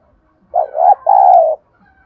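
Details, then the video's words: Spotted dove uttering the 'thúc gù' call used to excite and train decoy birds: a clean, mellow coo made of a brief wavering note, a short pause, then a sustained slightly descending note. "Chim cu gáy thúc gù"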